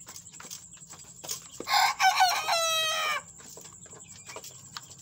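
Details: Chicks, recently added to a group and fighting, give a loud harmonic call in several bursts lasting about a second and a half, the last part falling in pitch. Quiet clicks and a steady hiss fill the rest.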